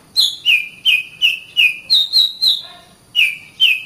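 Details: Caged-bird training song of an Oriental magpie-robin: a rapid run of bright, slurred whistles alternating between two pitches, with a brief lower chattering note midway before two more falling whistles.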